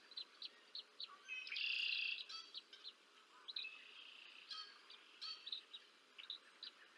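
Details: An adult bald eagle feeds two chicks on the Decorah North nest on 30 March 2024. High single chirps lead into a loud, drawn-out shrill note, followed by further squeals and spaced, sharp chirps.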